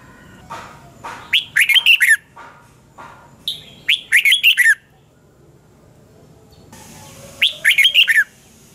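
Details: Red-whiskered bulbul singing in the morning as a training voice, three bright warbling phrases of rapid rolling whistled notes, with softer chirps between them and a hiss of background noise.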